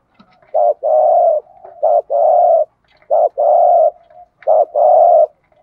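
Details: Spotted dove singing in the 'thổ đồng' style, a recording used to stir up and train pet doves. Low, hollow coos come in paired phrases, each a short note and then a longer steady one, repeated four times in a quiet setting.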